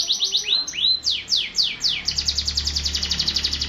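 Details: Canary song opening with slurred rising and falling whistles, then speeding into a fast even trill of about four notes per second, with a soft low hum underneath.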